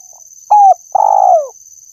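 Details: Spotted dove cooing for luring birds: a faint lead-in note, a firm level coo, then a drawn-out vibrating coo that bends lower as it fades. A faint steady high whine continues underneath.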